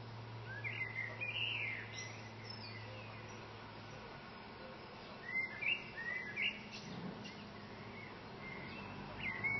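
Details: Common blackbird singing by a window from the top of a branch: two separate warbled phrases of fluting, slurred notes about four seconds apart, with a steady low hum and faint background noise.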